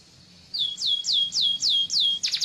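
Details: Yellow canary song, a rapid series of six clear, high whistled notes, each sliding downward, repeated about every quarter second after a short quiet start.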